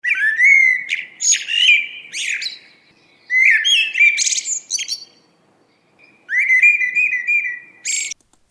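A Common Blackbird sings three mellow, fluty warbled phrases, each ending in a high, squeaky twitter, with short pauses between them.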